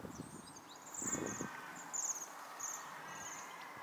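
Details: Several waxwings visiting a tree to eat berries in December 2023; high, thin, trilled calls sound in short ringing bursts about every half second to a second, with soft low rustling and thumps from the feeding birds.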